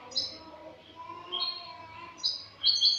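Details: Spanish European goldfinch singing clean-style song (cante limpio), recorded the year before 22 August 2018: short bursts of high, tinkling twitters separated by quieter gaps, with faint low background noise.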